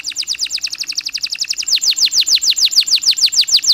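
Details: Canary singing to lure stressed canaries: a long, rapid series of bright, sharply falling notes, speeding up in the first half, then slightly slower and louder.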